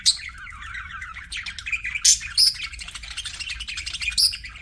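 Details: Pet budgerigars chatter in a steady stream of high, scratchy chirps and warbles, with sharper squeaky notes breaking through every second or two.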